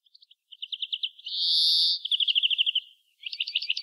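European greenfinch song: fast trilled twitters broken by a long, wheezy buzzing note, then more rapid chirping trills. No other sounds.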